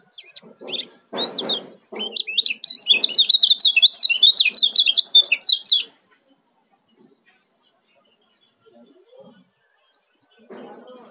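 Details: Lemon-bellied white-eye male from Lombok in fast 'ciak' calling used to coax quiet birds to sing: a few scattered chirps, then a three-second burst of quick high twittering notes, followed by near silence with faint knocks.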